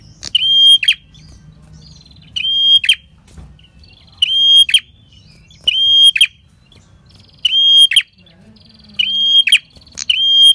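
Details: Lure song of a red-headed prinia for catching wild birds, delivered in the long ngalun style: seven phrases, each a level high whistle that snaps into a rough buzzy finish, coming roughly every one and a half seconds.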